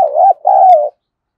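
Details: Spotted dove coo, used to prompt young doves to start cooing quickly: a low two-part phrase, a wavering first note, a brief break, then a longer, steady, slightly falling second note. No other sounds.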